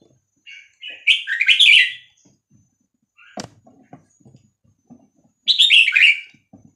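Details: Red-whiskered bulbul song for tutoring young birds and stirring them up: two lively warbled phrases about four seconds apart, with cage rattles and light knocking between them.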